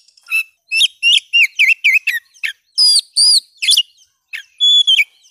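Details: Oriental magpie-robin (kacer) song for reviving a silent bird: a string of short, repeated rising whistles, then buzzy, chattery notes and a final level whistle.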